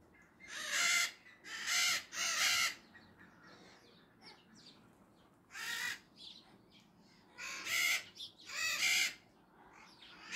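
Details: Maritaca parrots giving a series of loud, grating squawks in bursts, several in quick succession, then scattered harsh calls after a short pause.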